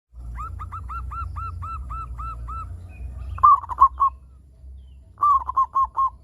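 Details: Local zebra dove, a vigorous singer, used as a lure to get other zebra doves calling: a run of ten soft hooked coos about four per second, then two loud phrases, each a slurred note followed by three quick clipped notes, over a low hum.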